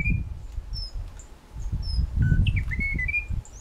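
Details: Munchique wood wren, a Colombian endemic, recorded in Tatamá Natural Park in the Western Cordillera. Its song is a short series of clear, whistled notes that rise and fall, with a few faint high chips, over a rumbling low background.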